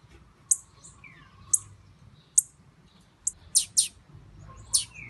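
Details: Female blue-black grassquit ready to mate: about nine sharp, very high chips at uneven intervals, some doubled, with brief falling whistles between them.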